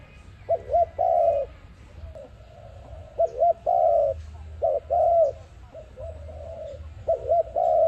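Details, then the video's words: Dove call used as a lure for trapping: soft, low hooting coos, some wavering or doubled, delivered in short phrases separated by brief pauses, over a faint low hum. "Sound of ARIMIX dove quality sound to use for trap"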